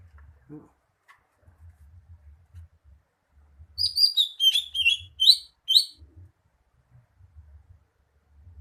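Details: Greater green leafbird delivering a rapid series of loud, warbling whistles with fluttering overtones, roughly eight notes packed into two seconds, preceded and followed by near silence and a faint low hum.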